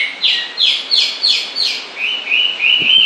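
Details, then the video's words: Bird song of five evenly spaced, downward-slurred whistles followed by three flatter, level whistled notes, about three per second. "Con chim hót suốt nghe mát ruột"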